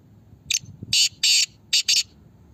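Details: Black francolin from Pakistan calling in a voice contest: a brief rasping opening note followed by four loud harsh grating bursts, the final pair tightly spaced, with low murmuring background noise.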